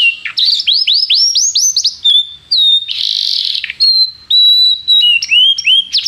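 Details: Canary performing tutor song for a young bird in training: a run of rising sweeping whistles, then level sustained tones and a harsh buzzy burst, ending with quick upslurred chirps.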